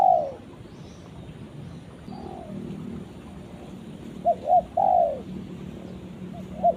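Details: Spotted dove summoning its companion: the tail of a long coo, then a faint coo, then a full phrase of two short coos and a drawn-out descending coo, with another call starting at the end.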